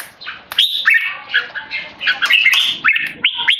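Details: Tame male red-whiskered bulbul, Singapore-style kept, giving loud clear keke calls while deliberately disturbed by people: bright chattering notes, some rising sharply, in quick bursts with brief sharp clicks between them.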